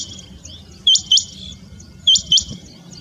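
Rain quail giving sharp, high, doubled whistled notes, one pair about every 1.2 seconds, over a steady high insect hiss.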